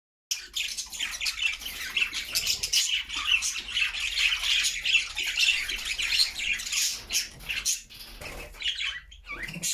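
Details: Happy flock of pet budgerigars singing in their new homemade cage; dense, continuous chirping and warbling chatter from many birds overlapping throughout, scratchy high twitters with no pauses.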